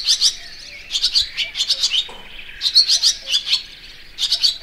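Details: Barn swallow, Layang2 Asia, with rapid bright chirp bursts, some notes sliding downward, repeated with brief pauses between groups.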